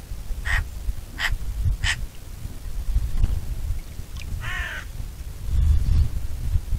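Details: Bonelli's eagle giving three quick, harsh call notes in a row, followed after a pause by a longer, wavering, drawn-out note; wind rumbles in the background.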